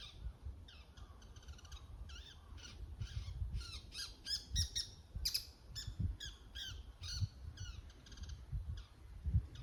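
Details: Bull-headed shrike giving its autumn high-pitched territorial call near dawn, around 5:30, at Showa-no-Mori park in Chiba City, Japan. Harsh, squealing kii-kii notes rich in overtones come in quick, irregular bursts throughout, over low background rumble.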